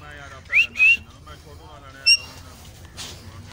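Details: Pet Alexandrine parakeet whistling in a park: a quick rising note followed by a longer level whistle, then a brief higher note, amid faint human speech and low rumble.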